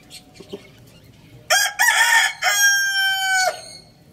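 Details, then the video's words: A rooster crowing loudly: after faint background sounds, one long crow starts with a harsh burst, then holds a bright, steady, strongly harmonic note for about a second before cutting off. "Adorable rooster crowing sound effect"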